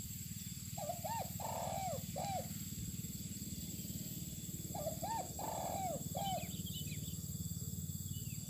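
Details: Spotted dove sunning outdoors in open land: two phrases of mellow, low coos, each a quick pair followed by a longer drawn coo and a final note, about four seconds apart, over constant low hum and faint high bird chirps.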